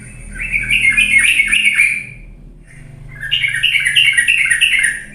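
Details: Lure song of a sooty-headed bulbul, meant to prompt sluggish birds to sing loudly: two rapid, warbled phrases of bright chirping notes, each about two seconds, separated by a short pause, over a soft low hum.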